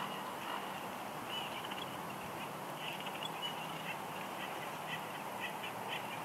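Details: Wild female bald eagle on her nest at Big Bear Lake, California, on 6 March 2021, whining softly as the male brings a headless fish. Thin, high squeaky notes repeat throughout, faint against steady background hiss.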